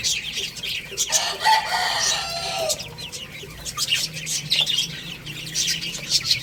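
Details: Baby chicks playing and eating, many overlapping high chirps and peeps with a drawn-out call near the middle, busy and continuous.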